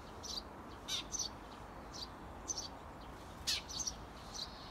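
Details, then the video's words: Wild Eurasian tree sparrow parents call outside a nest box, encouraging chicks seventeen days old to leave. Bright, clipped high chirps in small clusters, some doubled, with quiet gaps between, over faint low background hum. "【スズメ】【雀】生後１７日目！巣立ちを促す親スズメさん Eurasian tree sparrow"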